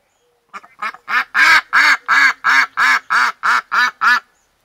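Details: Domestic duck among three new arrivals, one a loud female, kept in an enclosed run. A few short notes lead into about ten loud, harsh, evenly spaced quacks, roughly three per second, in a steady descending series.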